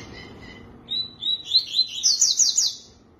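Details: Soft low chirps give way to a tui-tui phrase of high whistles that speed up into a rhythmic series of about eight bright, slurred notes, rising in pitch and loudness.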